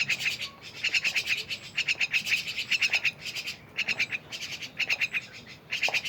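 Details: Myna giving bursts of harsh, rasping pulsed notes, each burst about half a second of rapid buzzy ticks, repeated with short gaps, plus a faint low rumble underneath.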